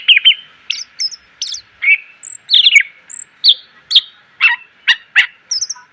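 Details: Greater green leafbird song for teaching cage birds, a varied run of sharp downswept chips and short warbles repeated about every half second, loud with no background.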